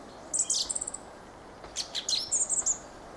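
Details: Squeaky chattering Fieldfare song: a short series of rapid high ticks, a gap, then a longer scratchy run of wheezy high notes.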